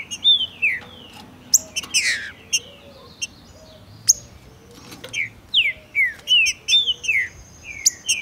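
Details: Green-winged saltator (Saltator similis) singing hard in tournament and breeding season, Brazil: loud, clear whistled phrases of quick downslurred notes, repeated in bursts, with a few thin high chirps in the background.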